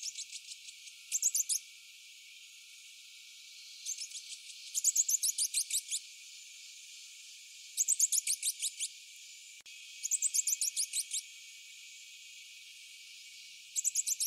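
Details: Rufous-breasted hermit (Glaucis hirsutus), a hummingbird, giving very high, thin squeaky phrases of rapid descending notes, each introduced by soft chips, repeated about every three seconds.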